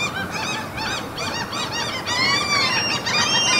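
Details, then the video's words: Many seagulls crying at a Norwegian fjord in the mountains: quick, strident, arched notes in a fast stream, joined later by long, rising, whistled wails. "NORWAY SEAGULLS FJORD AMBIENT SOUNDS MOUNTAINS"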